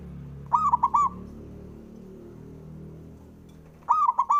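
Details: Male local Javanese zebra dove, a song to provoke rival males: two phrases of quick, rippling coos, the first near the start and the second near the end, with low humming noise between them.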